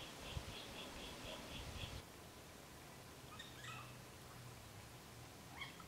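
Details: A pair of spotted pardalotes choosing a nest burrow on an embankment by a small watercourse, Ku-ring-gai Chase National Park, NSW, early September 2016: a quick run of about seven soft high piping notes, then faint chips, low hum.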